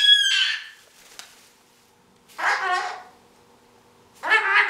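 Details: Five-month-old Goffin's cockatoo playing and chattering in its play set-up; three bursts of harsh, raspy, harmonic-rich squawks, each under a second, separated by pauses of about one and a half seconds, in a quiet room.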